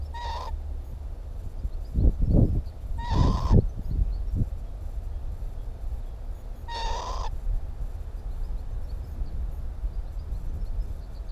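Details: Northern lapwing, Timiryazev field, May 2017: three rising, buzzy calls, the first two close together and the last after a pause, interspersed with low thuds and handling knocks.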